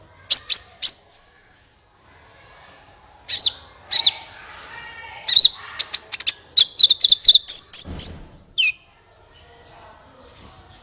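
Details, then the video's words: Gacor sunbird song meant to prompt other birds into singing: bursts of high, sharp chips and short twittering runs separated by pauses, ending with a thin whistled note and brief chatter. "suara burung Kolibri ampuh untuk pancingan, suara burung Kolibri gacoorr 2 menit langsung ikut gacor"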